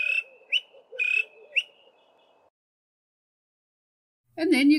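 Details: Male greater honeyguide calling from a song post; clear two-part notes, each a sharp rising note then a level whistle, given about every half second, then silence and a short burst of another louder sound at the end.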